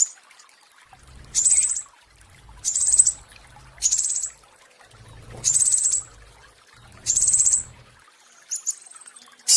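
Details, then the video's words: Recorded pentis raja flowerpecker, used to train caged songbirds, gives five evenly spaced, very high buzzy trills about every 1.5 seconds over a faint low rumbling hum. "Masteran Pentis Raja ~ Musuh Langsung Birahi Masal (Suara Asli)"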